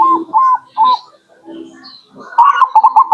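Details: Zebra dove calling as a lure for local birds: a few spaced whistled coos, a soft lull, then a quick cluster of bright repeated coo notes.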